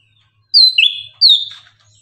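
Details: Orange-headed thrush (anis kembang) in morning song, a lure meant to excite birds into singing: two clear, high whistled phrases, the first sliding down into a lower note, the second descending after a brief pause.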